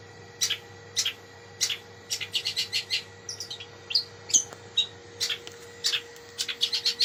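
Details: Long-tailed shrike, a kept songbird, singing a rich varied song of short sharp chirps and scratchy notes in quick irregular bursts, some high whistled accents, with a steady faint electrical hum behind.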